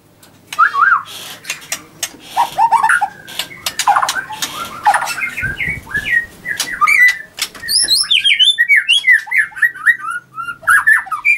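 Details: White-rumped shama (murai batu) kept at a bird farm in Anyer, Banten, singing to provoke rivals: after clattering noises, a lively series of whistled, slurred and rising notes grows steadily richer and more varied.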